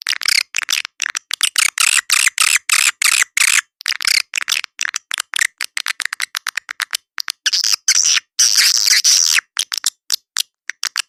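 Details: Lure call for swiftlet houses: edible-nest swiftlet clicks and short buzzy chirps repeated rapidly and irregularly, about three to four per second, with a longer shrill twitter near the end.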